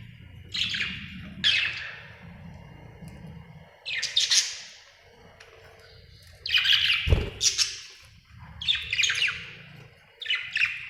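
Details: Budgerigar described as happy, giving bright, scratchy chirps in short bursts of two or three notes separated by pauses, with a low background hum and a brief thump near the middle.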